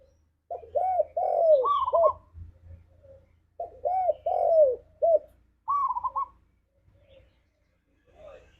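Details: Spotted dove, known as tekukur, singing a 'ngalas'-style lure for caged doves: two full phrases of rounded coos, each with a long sliding coo and a trilled rolling note. Faint low hum behind.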